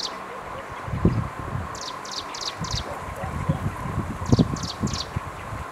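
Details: Striped prinia, Jianshi Township, Hsinchu, Taiwan, 11 April 2023: two short series of high, rasping repeated notes, partly masked by low thumping and rustling handling noise and a steady hum.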